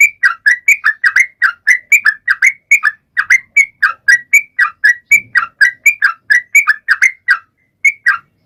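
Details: Sooty-headed bulbul in energetic song, used to prompt other birds, including silent ones, to start singing; quick run of whistled, slurred notes dipping and rising, roughly four per second, with a short pause near the end.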